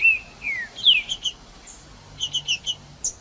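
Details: Green-winged saltator song for warming up a cold bird, favoured by tournament breeders: two falling whistles and a bright slur, a few chips, a pause, then quick paired chips.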